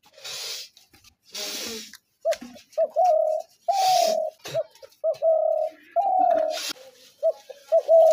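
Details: Spotted dove calling repeatedly as a trap lure: a series of short hoots and long coos, broken up by loud hissing bursts of noise.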